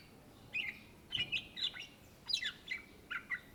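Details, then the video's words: Greater green leafbird in lively song, a bird native to Indonesia: short clusters of bright warbled whistles with rapid slurs, grouped in bursts separated by brief pauses, against a quiet low background hum. "SUARA BURUNG CUCAK IJO GACOR , TELER"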